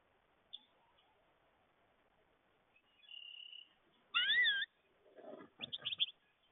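American goldfinch giving a thin high whistle, then a loud wavering, looping note and a quick run of sweet, bright chirps; otherwise quiet.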